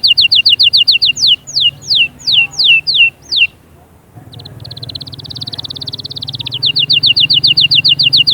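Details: Canary singing used to motivate chicks and ready females: quick repeated whistles and falling slurred notes, a short silence, then a buzzy trill leading into fast repeated notes over a low hum.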